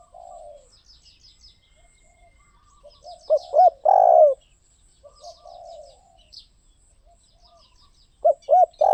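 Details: Low, rough cooing of a spotted dove: clipped introductory notes lead into a drawn-out falling croo. A new phrase starts near the end. Fainter doves coo in the background and small birds twitter high above.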